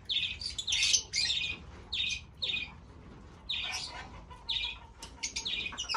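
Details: Fischer's lovebirds giving loud, harsh chirping bursts separated by brief pauses, some notes clipped and sharp.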